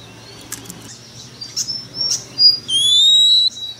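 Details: Oriental magpie-robin lure bird: faint clicks and thin notes give way to a couple of sliding whistles, then a long, steady, slowly rising pure whistle.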